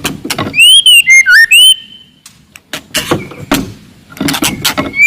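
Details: White-rumped shama from the forest, loud aggressive song to provoke rivals: clear arching whistles and a dipping slurred phrase, then scattered harsh clicks and a final thin rising whistle.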